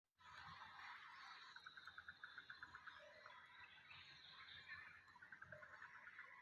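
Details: A shoebill (Balaeniceps rex) clatters its bill in two rapid, machine-gun-like bursts of dry knocks, about eight per second, over a steady hiss of background noise.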